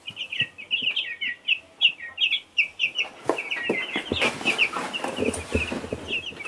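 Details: Baby chicks of two kinds give rapid, high, repeated peeps, short notes tumbling over one another, with bursts of rustling and handling noise in the second half.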